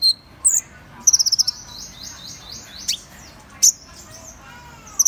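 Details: Seven-colour sunbird (Van Hasselt's sunbird) singing: high squeaky notes, then a fast even burst of about seven tinny ticks, a few sharp downslurred zips, and scattered thin high chirps over a quiet background.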